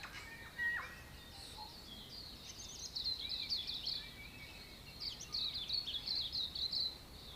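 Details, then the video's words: Dawn chorus of New Zealand native birds in a backyard in Auckland: many high, twittering and chirping voices overlap in quick bursts against a steady background hiss. "New Zealand native bird audio recording dawn chorus"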